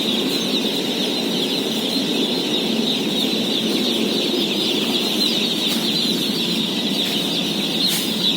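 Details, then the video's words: Day-old chicks in a flock of 17,000 at feeding, filling the air with dense, shrill cheeping that never stops, a few faint clicks near the end, and a continuous low background rumble. "BABY CHICKEN SOUNDS"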